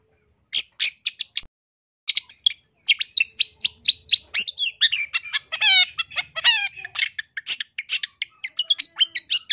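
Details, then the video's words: Long-tailed shrike in loud, lively song for bird training: a dense, rapid run of sharp chipping notes and quick trills, with downward-sweeping buzzy phrases midway and a brief silence near the start. "MASTERAN CENDET GACOR SUARA LANTANG"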